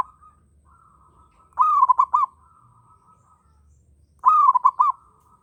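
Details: Two loud bursts from a local zebra dove in breeding mood, each a rising coo breaking into rapid rolling notes, while another bird keeps up a soft continuous trilling coo in the background.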